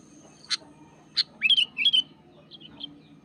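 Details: Sooty-headed bulbul in the wild, singing hard against a rival: two sharp clipped notes, then a quick run of rising whistled phrases, followed by fainter short notes against a faint low background hum.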